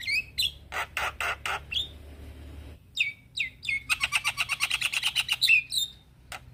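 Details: Male Javan myna calling to young mynas: whistled slurs and loud harsh bursts, a pause, then falling whistles leading into a long rapid rattle of grating notes that ends in a bright whistle.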